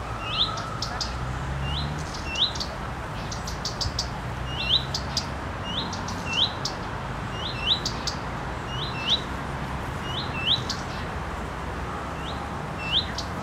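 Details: A female common redstart sits on a tree branch moving in the wind, flicking her tail and calling 'fuit-tik-tik-tik': a clear rising whistle with a cluster of dry ticks, repeated roughly every second or two throughout.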